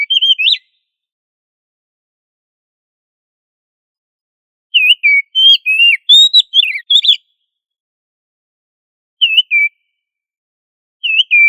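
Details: Oriental magpie-robin singing energetically, used as training song to teach other magpie-robins loud singing; brief whistled bursts, then a longer rapid sequence of rising and falling whistles, followed by two short phrases after quiet gaps.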